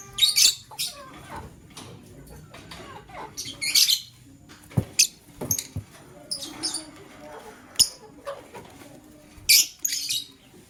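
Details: Male lovebird choosing a partner, giving short bursts of harsh, high chirps in irregular clusters separated by brief pauses, with softer twittering and faint clicks between them.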